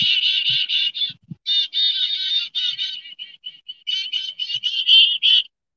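Black-capped Chickadee giving a long, rapid run of harsh, buzzy 'dee' notes, more than a dozen in under six seconds, with a few soft handling thumps.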